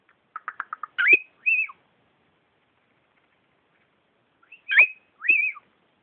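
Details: Pet female cockatiel, almost twelve years old, that tweets and whistles instead of talking; a quick series of short chirps, then two rising whistled notes, a long pause, and another pair of sliding whistles.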